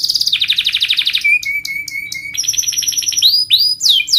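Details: Canary singing a training song for young birds: a fast buzzing trill, then a steady low whistle cut by high downward flicks, followed by a high trilled passage and rising whistled notes.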